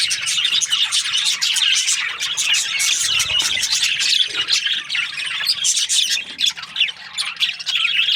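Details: Budgerigars, breeding pairs kept in an aviary, chattering together in a dense, continuous wash of high chirps and scratchy warbles with no pauses.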